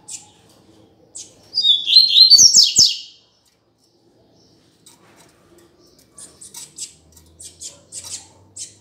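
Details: Double-collared seedeater calling to warm up and teach a male: a loud, twisting warbled phrase of descending whistled notes lasting over a second, then silence, followed by a run of short, faint high chips.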